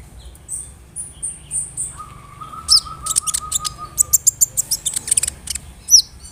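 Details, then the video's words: Brown-throated sunbird singing as a lure to excite rival sunbirds. Thin, high whistles give way to a rapid series of sharp, very high ticks, while a steady, lower buzzing tone runs underneath for about two seconds. "PANCINGAN KONIN GACOR BODY BIG SUARA NYES BIKIN KONIN LAIN TAMBAH EMOSI"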